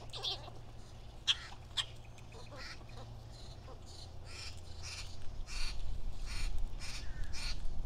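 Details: Two Nanday parakeets at a backyard feeder in Nokomis, Florida give harsh, raspy screeches in rapid, uneven bursts, about a dozen in eight seconds, over a steady low rumble.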